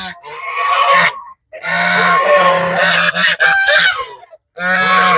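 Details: Several farm geese crowd together at feeding time in a Cambodian village, giving a continuous harsh, overlapping din of honks in two long bursts separated by short pauses.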